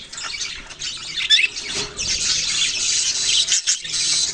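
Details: Group of budgerigars chattering: scratchy warbling that builds, with squawky chirps and a short gap before the chatter resumes.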